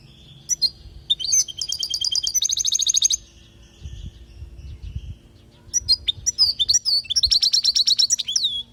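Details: Goldfinch from Palestine in a song recording for teaching fledgling goldfinches: twitters lead into rapid buzzy trills lasting over a second, a pause, then more liquid twittering and another long rattling trill, over faint hum.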